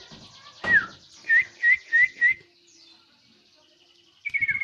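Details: Song of a common iora over a faint hiss: a sharp descending whistle, then four clear upslurred whistles about a third of a second apart, a pause, and the start of a fast pulsed whistle.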